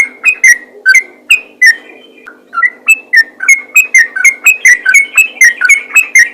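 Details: Lively yellow-vented bulbul calling to other bulbuls: bubbly chirps in quick succession, with a pause near the two-second mark, then faster, denser repeated notes toward the end.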